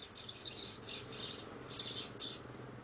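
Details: High, rapid twittering from a young copper seedeater aged 60 days, rehearsing its do-re-mi song: scratchy warbled phrases in two or three bursts, soft and unsteady, over a low hum.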